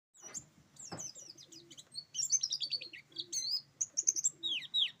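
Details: Oriental white-eye of the buxtoni type, singing in the roll tembak style: rapid high twittering of sharp descending and rising chirps in quick bursts, with short pauses and a faint low hum underneath.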